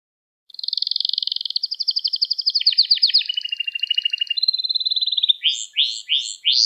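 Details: Canary song meant for teaching young canaries to sing: long, even rapid trills held on one pitch, then stepping lower into rolling phrases, ending in a few separate sharply rising whistled notes, bright and clear with a silent background.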